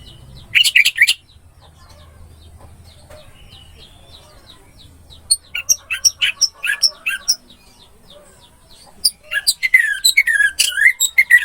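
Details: Orange-headed thrush masteran song meant to revive a silent bird: a brief loud phrase, a long quiet gap with soft low hum, then scattered sharp notes building into a rich, twisting warbled passage at the end.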